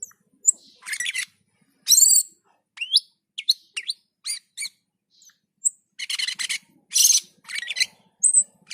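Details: Gacor and teler singing of a Black-and-white bulbul: raspy buzzing bursts alternating with thin whistles and crisp chips, spaced irregularly by short silences.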